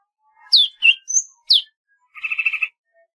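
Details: Golden-fronted leafbird giving four loud, sharp downslurred whistled chirps, followed by a quick buzzy rattling trill lasting about half a second.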